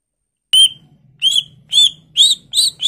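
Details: Lively greater green leafbird, a lure recording rich in varied fill phrases: clear whistled notes rising then falling, repeated about every half second, over a faint low steady hum.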